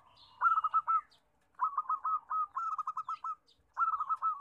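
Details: Loud local zebra dove song played to coax reluctant doves into singing: three bursts of quick, clipped coo notes, each run rising briefly then falling, separated by short silent gaps.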